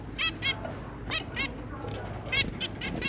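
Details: Zebra finches, parents with three juvenile young, giving short nasal honking calls spaced irregularly over a steady low background hum.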